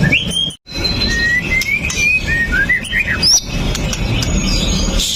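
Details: Pastol-type white-rumped shama, a fighter bird, delivering sharp 'shot' notes meant to goad other shamas into song, recorded on a Xiaomi Note 8 Pro. Clear, thin whistled notes, some rising, others falling, follow a brief silence, over steady low background hum.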